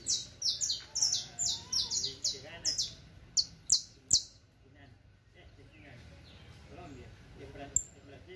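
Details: Criollo canary singing, offered as a teaching song for other birds: a rapid series of bright descending trills and notes repeated about twice a second for four seconds, then quieter background with faint voices.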